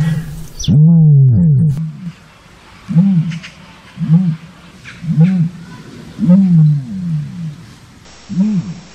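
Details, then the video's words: Common ostrich giving deep, low, hoarse calls: arched booming notes repeated about once per second, the first longer and louder, over steady low background noise. "Страус. Голоса птиц"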